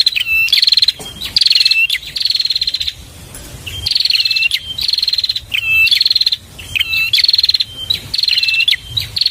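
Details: Bar-winged prinia singing, recorded as training material for cage birds: repeated bursts of rapid, buzzy, high-pitched rattles with clear whistled upslurs and downslurs between them, phrases of roughly one second repeated steadily with brief gaps.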